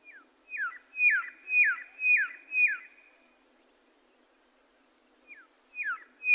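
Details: Red-lored whistler (Pachycephala rufogularis), song.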